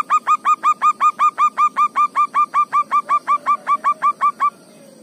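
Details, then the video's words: Local zebra dove in natural ngayer negel song, an unbroken series of about twenty-five quick, regular cooing notes lasting four and a half seconds before stopping. "perkutut lokal gacor, ngayer negel ASLI ALAM"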